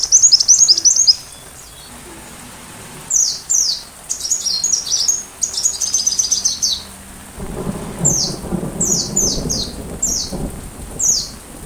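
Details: Sunbird singing over a soundtrack of rain, recorded to train a white-rumped shama: quick bursts of high, descending chirps with pauses between them, while rainfall and a low rumble grow in the second half.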